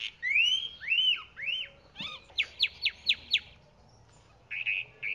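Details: Chalk-browed mockingbird song of arched, rising-and-falling whistles, followed by a quick series of five sharp descending notes and two short buzzy phrases, over faint background hiss.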